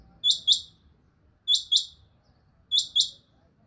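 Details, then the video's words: A quail gives sharp, high double notes, two quick clipped chirps repeated about every second and a quarter, over a faint low background rumble. "How to check the beautiful and sweet Quail sound|batray ksy khobsort awaz suny"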